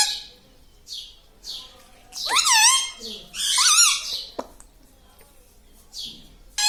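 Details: Pet talking parrot delivering two loud, wavering, speech-like phrases, separated by quieter breathy sounds and a sharp click.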